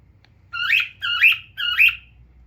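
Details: A pet cockatiel, a male living indoors with a family, gives three harmonic calls, each rising then falling with a bright peak, evenly spaced about half a second apart over quiet background.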